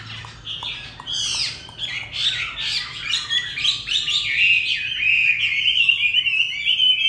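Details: A Chinese hwamei sings a loud, continuous run of varied whistles and sweeping notes, high and rich, with quick trills woven through; a faint low hum sits underneath.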